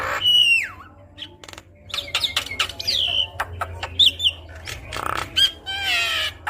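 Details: Javan myna giving varied song meant to stimulate other mynas: a sliding downward whistle, scattered sharp clicks, high twisting whistles and a closing harsh rasping burst, with low background hum.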